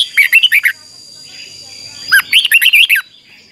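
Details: Red-whiskered bulbul song used for training: two short bursts of bright, rapid whistled notes, rising and falling, with a quiet pause of over a second between them and a thin steady tone in the background.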